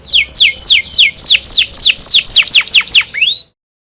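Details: Canary song: a fast series of loud, sweeping notes that slide steeply downward, repeated about four times a second for three and a half seconds, then ending with a few rising notes before silence.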